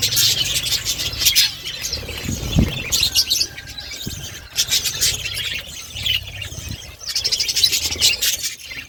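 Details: Budgies kept in an outdoor aviary in a forest setting chatter in dense bursts of high, scratchy twittering that rise and fall, with pauses between and a few dull knocks.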